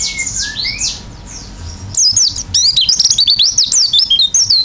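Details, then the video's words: Oriental white-eye in vigorous isian song, beak open: a few soft slurred notes, then a lively, rapid chatter of high whistled zigzag notes that continues to the end. "pleci gacor isian buka paruh"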